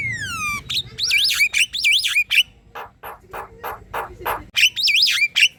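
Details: A Javan myna in full song, meant as tutor material to teach other birds and draw them into singing. A long descending whistle opens, followed by wavy looping whistles and a run of harsh rasping squawks, then more loops.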